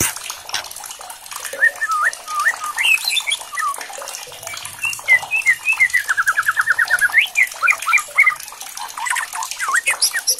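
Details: Provoked white-rumped shama singing hard and agitated after a challenge recording. A busy stream of whistled notes and a rapid, evenly repeated trill run over constant crackling clicks and a low hum.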